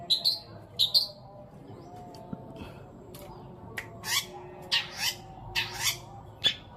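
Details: Paired high chirps from a long-tailed shrike singing sparrow, petir and kuntilanak fills give way after a pause to loud, harsh, broadband squawks spaced about half a second apart; the song serves to stir silent shrikes into singing. Low background hum.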